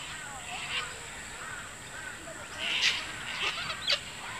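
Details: Wild sulphur-crested cockatoos in a group on a lawn at Sherwood Arboretum at dusk, squabbling over a stick; several harsh, raspy screech bursts over a background of softer, wavering chatter from the flock.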